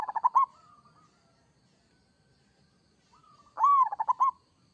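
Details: Local zebra dove song: a quick, bubbling phrase of stuttered coos ending in a drawn note, then a pause and another identical burst of rippling notes.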